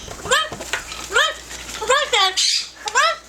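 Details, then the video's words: Pet yellow-naped amazon parrot talking: a string of short, arched, speech-like syllables with rich harmonics, about five bursts separated by brief pauses, in an indoor room. "SINGING AND TALKING FUNNY PARROT"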